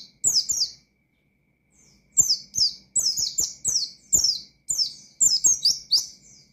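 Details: Oriental white-eye song in ngalas style meant to stir rival white-eyes: an opening pair of bright chirps, a pause, then a long dense volley of shrill descending notes in quick bunches.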